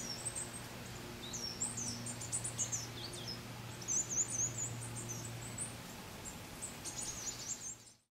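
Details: Coal tit (Periparus ater ater) in Brussels, Belgium, in September 2010, gives thin, very high, scattered chirps over a steady low hum.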